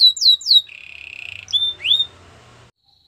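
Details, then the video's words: A Belgian canary sings a training phrase: two swooping whistles, a short buzzy roll, then separate sliding and rising whistled notes with brief pauses and a faint low hum behind. "Listen to this and your belgian canary will sing a lot !! Canary's training song"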